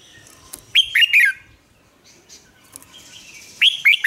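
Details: Red-whiskered bulbul singing as a lure to coax caged bulbuls into song, Vietnam: a rapid three-note whistled phrase, a quiet gap with faint chirps, then the phrase begins again.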